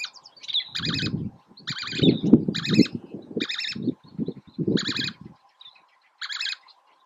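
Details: At Oso Flaco, May 31, 2019, a least tern repeats grating high calls in separate bursts roughly once a second, over a steady background of low wind rumble and buffeting.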